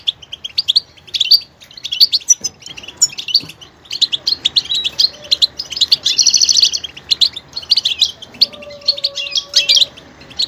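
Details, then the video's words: Dense goldfinch song of fast twittering notes with a buzzy trill around six seconds; a faint steady low tone appears near the end. "motivational ringtones that will take you on a journey with goldfinch"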